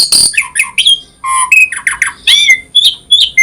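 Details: Asian pied starling in varied song: a harsh squawk opens, followed by low and high whistled notes, gurgling phrases and a closing series of short clear whistles.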